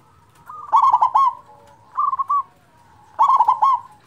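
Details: Zebra dove, local perkutut with a large voice, used as a lure for reluctant birds: three rich, rolling coo phrases roughly every one and a half seconds, each a quick stuttering run of resonant, hollow notes.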